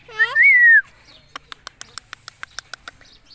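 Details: Indian ringneck parakeet gives one loud, harsh squawk under a second long that rises then slides gently downward, followed by a quick, evenly spaced series of sharp clicks.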